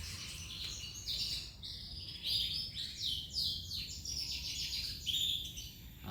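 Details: Tough male giboso canary singing a continuous run of high, rolling, buzzy trills and chirps, shifting through varied phrases, with steady low background noise and a brief spoken greeting nearby.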